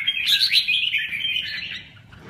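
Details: Red-whiskered bulbul giving a short burst of bright, slurred warbling notes that trail off after about a second and a half, with faint low background hum.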